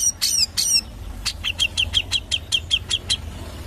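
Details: Grey-cheeked bulbul (cucak jenggot) singing in the ngepik rapat style: two loud, harsh chirps, then a quick, dense series of about a dozen short, sharp 'pik' notes at an even high pitch. Low background rumble.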